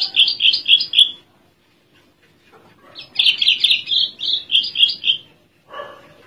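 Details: Caged spotted branjangan (Horsfield's bushlark) from Java singing while perched at ease: two bursts of rapid, scratchy high chirps, the first about a second long, the second nearly three seconds, separated by a pause, with a lower note at the end.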